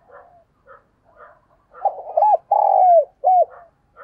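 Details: Decoy spotted dove cooing to entice wild birds: soft scattered low notes lead into a single loud phrase of hooked coos, a long sliding falling coo and one short final note, followed by quieter murmured sounds.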